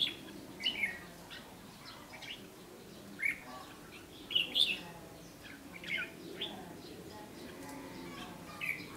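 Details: Red-whiskered bulbul scolding a decoy at a fighting trap, 8 July 2016: scattered sharp whistled notes and short chirpy phrases spaced over several seconds against a quiet background hiss.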